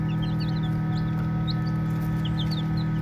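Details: Baby chicks playing: a few sharp, high peeps with short up-and-down slides, spaced unevenly, over a continuous low hum.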